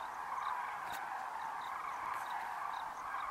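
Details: Evening departure of a vast Common Crane flock, more than 40,000 strong, from the dry grasslands of Kutch to roost, January 2013; an even, massed trumpeting din with no gaps and little else heard.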